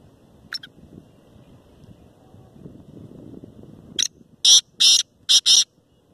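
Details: A kept black francolin of the Pure Lucka Shedi cross line calls. After a single short note and a few seconds of low murmur, it gives four harsh, grating, broadband bursts in quick succession, each lasting about a quarter second.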